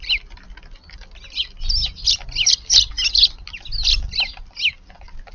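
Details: Eurasian tree sparrow that flew down into a garden first thing in the morning, February 6th: a quick run of about twelve sharp, twisting chirps packed into three seconds, over low rustling noise.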